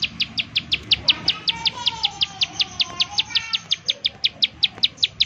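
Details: Bar-winged prinia, rapid 'nembak' calls meant as a lure to make other prinias sing: crisp high chips in a steady run, close to three each second, with a faint lower warbling note in the background.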